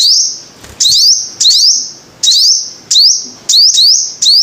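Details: Shrill repeated song of a five-colour sunbird: bright, high notes with upward-sliding sweeps, given in bursts under a second apart, with faint low knocks and hiss behind.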